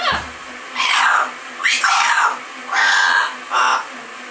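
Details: Double yellow-headed amazon parrots giving four loud, harsh, broad squawking calls, each about half a second long, at irregular intervals. The calls are separated by quieter pauses, with a faint low hum in the background.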